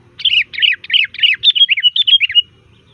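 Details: Sooty-headed bulbul, loud varied song used as a lure: a rapid three-second string of about ten bubbly, slightly harsh notes, the last ones more whistled and level, over quiet background.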